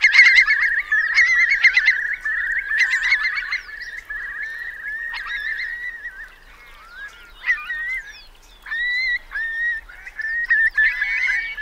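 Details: Large flock of Eurasian curlews sheltering in Marquenterre wet meadows, Bay of Somme, France, during a high-coefficient high tide, 7 October 2021; continuous chorus of whistled calls, busy at first, then thinning to scattered upslurred whistles.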